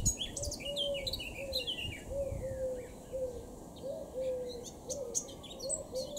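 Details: Eurasian blackcap singing in Cambridgeshire, UK, on 26 June 2016: rapid high warbling phrases with fluty notes, accompanied throughout by a low, soft cooing repeated roughly every second, likely a dove or pigeon.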